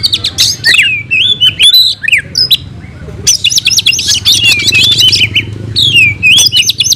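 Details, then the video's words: Kacer, the oriental magpie-robin, in loud fighting song, pouring out its stored phrases: looping, slurred whistles and quick rising-falling notes, then a long run of fast, tumbling chirps. "Kacer gacor tarung bongkar isian"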